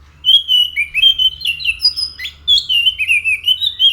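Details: Orange-headed thrush in full song, a continuous stream of rich whistled and warbled phrases, notes sliding up and down and run together rapidly over four seconds, with a low steady hum beneath.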